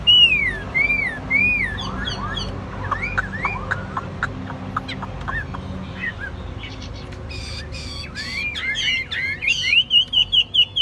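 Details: Captive Chinese hwamei (Garrulax canorus) singing a rich, varied run of looping whistles and quick slurred notes, ending in a fast series of sharp, repeated chips.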